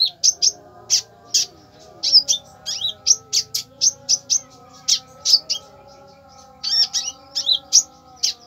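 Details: Konin delivering a fierce burst of song: a long run of loud, high, clipped chirps, often in quick pairs, with a faint continuous low drone behind.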